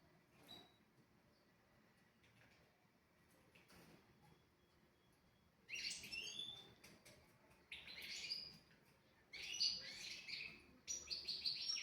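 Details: European goldfinch song used as a tutor recording for young goldfinches and canaries: quiet start, then four bursts of bright, high twittering from the middle onward, each about a second long, with liquid trills and buzzy notes.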